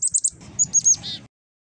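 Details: Black-capped chickadee, wild, being hand fed: three quick thin high notes, a pause, then three more sharp high chips and a short hoarse buzzy dee ending the call.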